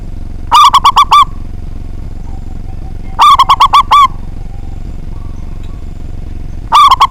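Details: Big-voiced local zebra dove singing to goad rivals into answering. Three bursts of rapid, bubbling coo notes, each phrase under a second long, roughly every three seconds, with quiet low background noise between.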